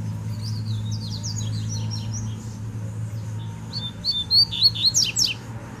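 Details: Wild double-collared seedeater singing in the bush: fast series of high, sharp, slurred chirps, growing louder and more emphatic toward the end, over a faint low background hum.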